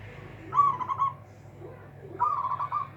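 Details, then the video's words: Local zebra dove with a loud voice said to leave opponents helpless, giving two rippling, trilled coo phrases about a second and a half apart over a faint low hum. "PERKUTUT LOKAL SUARA BESAR BIKIN LAWAN TAK BERKUTIK"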